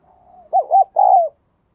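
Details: Decoy spotted dove calling in thúc and gáy style to lure wild doves: a soft low drawn-out hum, then two rounded coos and a longer falling coo, clear and near.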